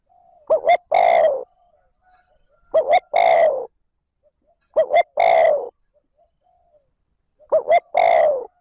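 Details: Spotted dove kept as a decoy, calling 'trơn ròng' to attract wild doves: four regular phrases roughly every two and a half seconds, each a double short coo followed by a longer falling coo.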